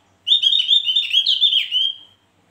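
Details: Javan grey-throated white-eye: one continuous, high, warbling phrase of nearly two seconds, wavering and slightly buzzy, rising briefly near the end before fading away.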